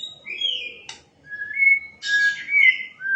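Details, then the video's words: Singing white-rumped shama giving loud, pure whistles, one held steady and others sliding, broken by a sharp click and a burst of rich, rapid warbling. "Shama birds..calling bird singing Bird"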